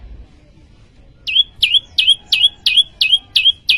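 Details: Prenjak lumut prinia, Indonesia, in energetic song: after a second of quiet, a regular run of sharp, high notes that drop then flatten, nearly three per second.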